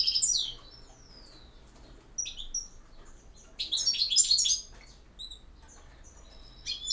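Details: European goldfinch singing campero song. Sharp high notes and downslurs are spaced out, with one dense burst of liquid twittering in the middle and scattered chips afterwards.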